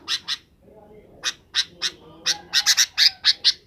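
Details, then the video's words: Sooty-headed bulbul calling in the afternoon to gather companions for roosting: a quick series of harsh, buzzy squawks, irregular and about two per second, crowding closer together toward the end, with faint low background sounds. "suara kutilang di sore hari"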